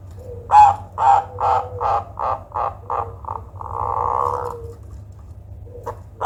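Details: Zebra dove giving an unusual call said to be ideal for luring or prompting other birds: a series of low, hollow coos, shortening and quickening, ending in a long steady trilled note, then a fresh coo begins.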